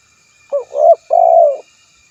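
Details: Spotted dove call for luring rivals: one phrase of three coos, short then swelling then long and even, low and mellow, with no other sounds.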